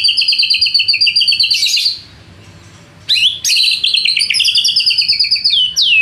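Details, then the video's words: White-rumped shama (murai batu) lure song to stir rival birds into answering: long runs of fast, high, repeated chattering notes, broken by a one-second pause, then resuming with bright trills and a falling whistle. "PANCINGAN MURAI BATU PENDONGKRAK EMOSI MUSUH"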